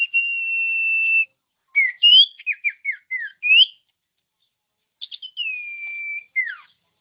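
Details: Common iora song meant to excite quiet caged birds into singing. A long steady whistle, then a rising note and a quick string of short downslurred chips, later stuttered notes and another long whistle falling away.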